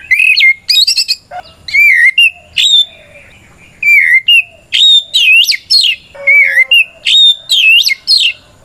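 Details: Kacer song meant to goad rival white-rumped shamas into replying: bright whistled notes rising and falling, mixed with buzzy warbled bursts, delivered in short loud phrases with brief pauses.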